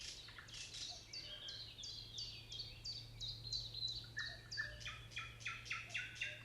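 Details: Common nightingale singing: a fast series of sharp, repeated high notes, about three per second, then a shift to lower, fuller repeated phrases, over a steady low hum.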